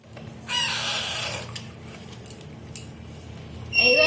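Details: Baby parrot being fed gives a harsh, raspy squawk lasting about a second, goes quiet over a low hum, then starts another rasping squawk.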